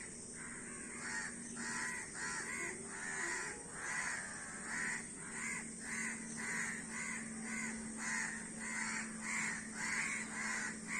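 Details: Many crows cawing together: harsh, nasal caws repeat in a steady stream of about a hundred a minute, overlapping one another, with a low steady hum running underneath.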